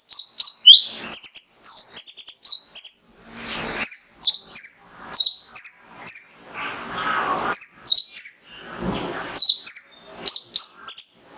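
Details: Male mangrove whistler singing hard to stimulate other birds: rapid series of high, thin whistles, some falling and some level, delivered in clustered bursts, broken twice by soft rustling or rushing noise.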